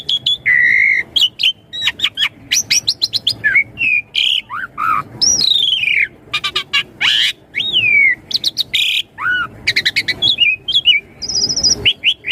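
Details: Lure song of the Asian pied starling, meant to prompt young starlings to answer quickly; a dense, varied stream of whistles, sharp clicks, down-slurred notes and rapid chattering bursts with almost no pauses.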